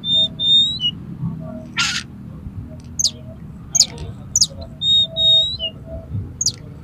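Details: Oriental magpie-robin in a highly aroused fighting state, singing to provoke rival birds: clear whistled notes near the top of its range mixed with sharp downslurred chips and a harsh burst, low background hum throughout.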